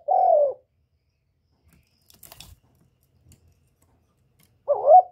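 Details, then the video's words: Spotted dove kept as a decoy, recorded without background noise: one low, slightly falling coo opens the recording, a few faint clicks follow, and a second coo with a rising wavering start closes it. "Tiếng cu gáy mồi / cu gáy đủ bài giọng hạp bổi kích mồi luyện bổi mau nổi hiệu quả"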